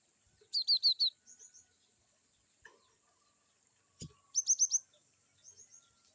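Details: Cinereous tit (glatik batu) repeating varied 'wucit' phrases: a fast series of four bright downslurred notes, softer echoing notes, a low thump, then another series of four ringing notes and a quieter trio.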